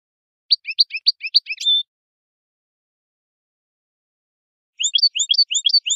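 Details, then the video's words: European goldfinch twittering song in two short bursts of fast, tinkling chirps. About three seconds of silence separate the bursts. "تغريد الحسون ، ربع ساعة من صوت طائر الحسون"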